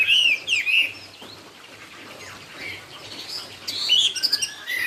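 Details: Chinese hwamei, 'cao cầu' song style: a few loud, bright whistled slurs at the opening, a quiet pause, then faint high twittering and a brief burst of sharp notes near the end.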